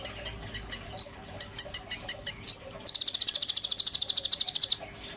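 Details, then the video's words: Caged oriental magpie-robin in full voice, bowing style, a tutor for white-rumped shamas: clusters of high clicking chirps and brief whistles, then a sustained rapid buzzing trill lasting about two seconds. "BURUNG KONIN GACOR.GURU POKAL MURAI BATU GAYA SUJUD"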